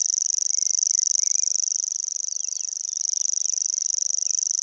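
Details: Along the Vistula near Gdańsk, a Common Grasshopper Warbler sings nonstop with open bill, a sustained high-pitched whirring trill of fast regular pulses, never breaking, while other small birds call faintly behind.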